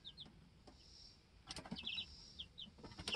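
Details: Two-week-old chicks on a homestead, hopping about and learning to fly, let out a few high descending peeps among scratchy rustling and light tapping sounds in the coop.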